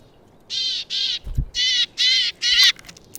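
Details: A willow tit visiting a feeder gives five harsh, nasal, buzzy notes in a quick series about half a second apart, with a soft low thump in between.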